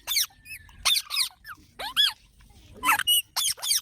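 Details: Baby parrots making short, harsh, squeaky calls in quick irregular bursts, some rising and falling, with brief quiet gaps between them.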